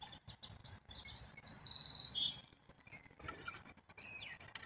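Black-capped chickadee: a few thin, high notes, then a run of harsher, buzzy notes, with a softer whistled note near the end.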